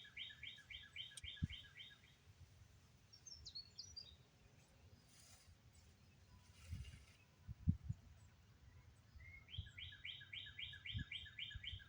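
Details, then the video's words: Bird song outdoors in Oklahoma on May 22 with clouds overhead: a rapid trill of repeated mid-high notes at the start, a brief chip midway, then the same rapid trill returning near the end amid thumps and rumble. "Bird Sounds"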